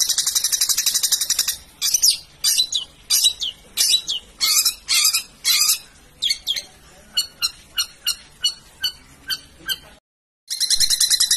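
Long-tailed shrike song: harsh, scratchy squawks and sharp high chirps, fast but uneven, with dense buzzy chatter at the start and end.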